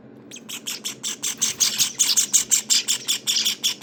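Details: Java sparrow nestlings, 19 days old, calling in a steady run of sharp, harsh chirps, about three per second, growing louder and more insistent after a quiet start.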